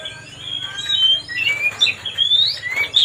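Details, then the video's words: White-rumped shama song used to provoke a rival: starts quietly, then swells into clear, slurred whistles and upward-swooping notes, delivered in short bursts over the last two seconds. "mancing suara kacer biar emosi"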